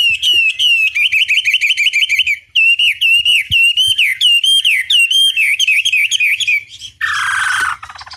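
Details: Chinese hwamei long training song to provoke replies: fast, loud, ringing whistled notes repeated in quick series, then a brief harsh, buzzy burst near the end.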